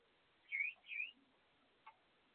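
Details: Gouldian finches eating and calling: two quick dipping-then-rising whistled notes, the second slightly softer, then a short click in an otherwise quiet room.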